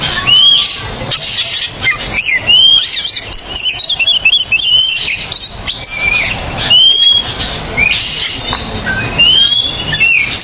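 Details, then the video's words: Oriental magpie-robin song used to encourage silent birds to sing: short bright upslurred whistles repeated among chattering notes, with hissy noise bursts throughout. "TERAPI KACER MACET BUNYI"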